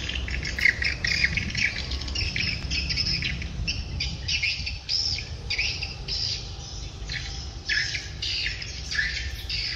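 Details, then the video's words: Swiftlets calling in the evening: bursts of sharp, high, buzzy chirps and twitters, about two each second, with brief gaps, over a low background rumble. "Chim chiều"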